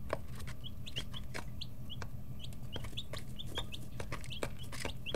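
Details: Baby chickens aged 11 to 13 days, kept in a brooder, make a lot of noise while pecking. Brief high peeps come at irregular intervals, mixed with frequent sharp tapping sounds and a low background hum.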